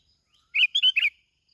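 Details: Lure recording of a plain-backed sparrow from Bình Thuận, Vietnam, giving one brief phrase of four rapid, slurred chirps over near-silence.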